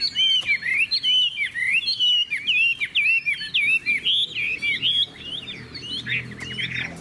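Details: Chinese hwamei in a cage, singing loudly: a continuous flow of varied, looping whistled phrases, bright and fluid, easing to quieter notes in the last two seconds.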